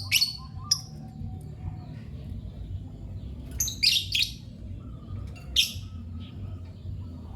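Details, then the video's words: Lovebird chirps: a quick series of shrill, scratchy squeaks, two at the start, a cluster of three around the middle and one more after, over a low background hum. "Lovebird Chirping Sounds"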